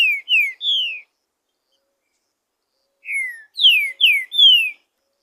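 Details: Green-winged saltator singing loose in the wild, its song used to stir up captive birds: whistled, downslurred notes in phrases of three to four, separated by about two seconds of silence, no other sounds.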